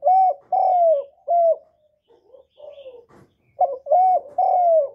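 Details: Spotted dove giving lure coos: three loud mellow notes, the second long and falling, soft low mutterings in between, then the same three-note phrase repeated with a quick lead-in note.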